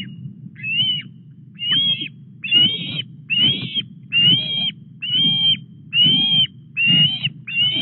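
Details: Osprey at the Llyn Clywedog nest in Wales on 4 August at 09:33, during delivery of a headless fish: a steady series of clear whistled, slightly rising notes repeated about once a second over low rumbling background.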